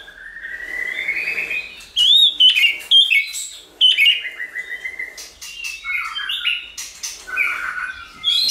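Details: White-rumped shama song used to provoke and train shamas to sing, in many voices: long whistled slurs near the start, then rich varied phrases of sweet whistles, trills and sharp chips.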